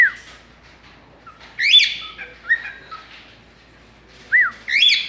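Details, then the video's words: Indoor pet cockatiel whistling back and forth with its owner: clear high whistles, some bending down sharply, some arching up and falling, separated by brief quiet pauses. "Having a conversation with a bird"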